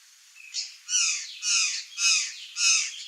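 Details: Curl-crested jay, known in Brazil as gralha-do-campo, free in the wild, with four harsh, broadband squawking calls from about one second on, each roughly half a second long and spaced about half a second apart, the background otherwise quiet.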